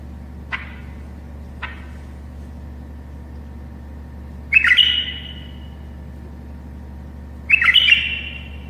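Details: A tame bulbul sings to help other bulbuls learn to sing: two brief clicks, then two loud bursts of warbled, descending notes about three seconds apart, over a steady low hum.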